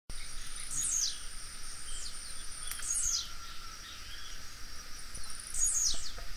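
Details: Blue-black grassquit singing: short high buzzy notes sliding downward, given three times about every two and a half seconds over a steady high insect drone, with faint ticking in the background.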